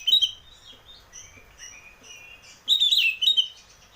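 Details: Oriental magpie-robin, a cage bird, singing to prompt others: a loud opening note, quiet high whistles, then a strong rich warbled phrase lasting about a second.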